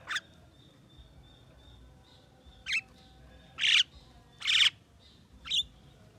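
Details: Javan myna, described as able to talk, giving six harsh, broadband squawks spaced unevenly over about six seconds, with a faint steady high tone running behind the early calls.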